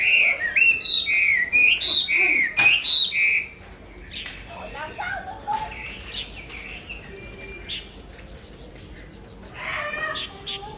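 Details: Chinese hwamei singing repeated looping whistled phrases for about three seconds, then fainter scattered chirps and a short final warbled burst.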